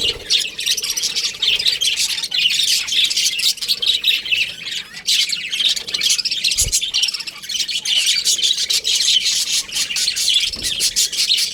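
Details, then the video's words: Housed in an aviary, a group of baby budgies keeps up long continuous chirping and chattering, with high shrill notes packed closely together and two short low thumps. "Baby Budgies Chirping Sounds"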